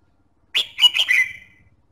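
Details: Red-whiskered bulbul song played to stimulate singing: one quick phrase of three bright, slurred whistled notes, the last trailing off, in a quiet setting.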